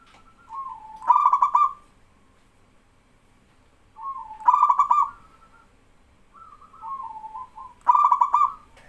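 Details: Singing male zebra dove, a local bird, with younger doves joining in answer. Soft wavering coos lead into a loud rapid stuttering burst, the phrase repeated about every three and a half seconds.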